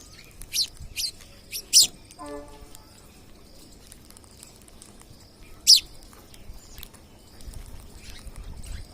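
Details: Wild parrots visiting a home give short, sharp, high shrieks in scattered bursts, four loud ones in the first six seconds, with a brief lower harmonic sound between them and a faint background hum.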